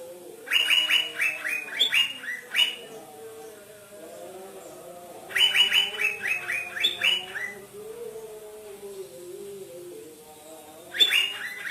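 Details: Asian fairy-bluebird ('trotol' type) singing vigorously, claimed to make greater green leafbirds agitated: three bouts of fast, repeated bright chirps, roughly every five seconds, with a low wavering hum between bouts.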